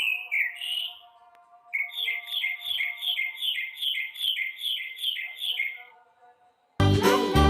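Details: Blue jay calling: a single whistled note, a pause, then a steady run of about a dozen similar short notes at an even pace, over soft background music with steady tones, ending in a loud burst of music.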